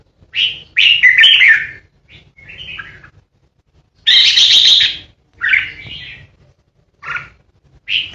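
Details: Red-whiskered bulbul decoy bird, a caged contest singer, delivering 'ché' song meant to intimidate rivals: short chirpy whistled phrases and one long rasping burst, spaced by silent gaps over a low background hum.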